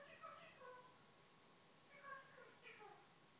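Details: Female Eclectus parrot chattering to herself in the morning after waking; soft, harmonic, speech-like phrases at the start and again near the end, separated by a quiet pause, over low background hum.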